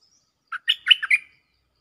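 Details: Cream-vented bulbul gives one quick, bubbly phrase of five liquid, mid-high notes lasting under a second, presented as a strong singer calling for a mate, used as a lure sound; otherwise quiet.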